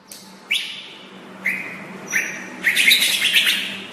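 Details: White-rumped shama song used as a tutor recording: two sustained whistled notes near mid pitch, a higher short phrase, then a dense, loud burst of mixed high notes. A steady low hum runs underneath.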